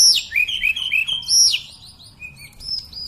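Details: Sunda robin, or tledekan mountain sulingan, singing continuously; steep high downslurred whistles, a run of quick lower bubbling notes, then short level whistles.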